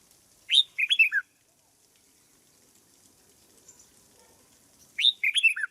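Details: Caged decoy red-whiskered bulbul under training repeats a crisp phrase twice, a high upward note then three or four tumbling whistled notes, separated by about four seconds of near quiet with a faint hiss.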